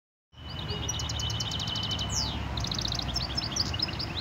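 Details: A goldfinch mule, recorded in Algeria in 2018, sings a rapid, high twittering song of tinkling notes, quick trills and a sliding downward whistle, over a steady low rumble and a faint constant tone.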